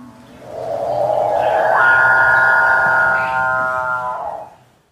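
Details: A male Capuchinbird of South American forest gives its courtship call to attract females: one long, drawn-out moan of about four seconds, swelling from a low growl into a steady, cow-like lowing tone, then fading.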